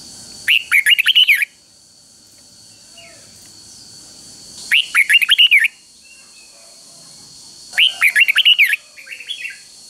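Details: Caged Red-whiskered bulbul giving its three-syllable 'double' song, a phrase used in Thai counting-style competition to train young birds; three rapid warbled bursts of rising and falling whistles, each about one second, roughly every three to four seconds, with a steady electronic whine.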